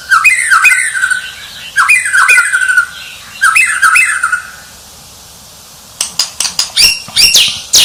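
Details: White-rumped shama described as a champion singer: loud phrases of clear down-slurred whistles repeated about every one and a half seconds, then a pause and a burst of harsh, broadband chattering notes.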